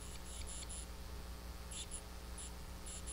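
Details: A titmouse in a tantrum, caught on a live birding camera, gives thin, very high notes in quick clusters of two to four, pausing between bursts, over a steady low hum.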